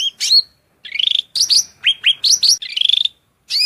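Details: Loud, shrill song of a cucak rante (hill prinia), recorded as a masteran for training birds. A quick medley of high whistled slurs, sharp chips and a buzzy trill.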